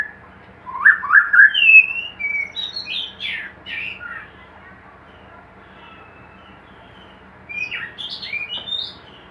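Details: Caged white-rumped shama kept for breeding gives a quick burst of buzzy and whistled notes, falls silent for several seconds, then adds a short high twittering phrase.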